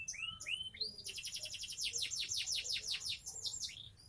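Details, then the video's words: Caged Sonji SF canary, seven months old, from Indonesia: several rising whistled slurs open into a fast series of high downward-sweeping trilled notes. "Koleksi burung kenari SONJI SF kenari umur 7bln"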